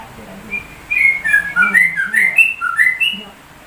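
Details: Sooty-headed bulbul imitating a white-rumped shama, one lively burst of about a dozen clear whistled notes hopping up and down in pitch after a faint opening note.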